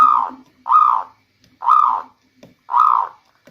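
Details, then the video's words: Zebra dove, a local bird, singing as a rainy-season lure: four soft, rounded coos spaced roughly a second apart, each swelling and fading. "Bunyi perkutut lokal terbaik untuk pancingan di musim hujan"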